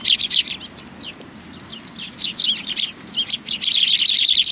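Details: Group of sparrows coming for food at a Tenmangu shrine on 25 November 2020, chirping busily in high, rapid notes that build into a dense, overlapping chatter toward the end.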